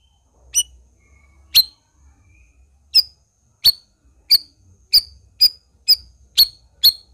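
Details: Black-crested bulbul repeating clear, high, clipped chip notes about twice a second, speeding slightly toward the end, over a faint low hum.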